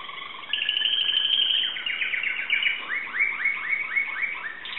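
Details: Timbrado canary in Greece singing a high sustained roll that breaks into a string of fast downward-slurred notes repeated about four times a second.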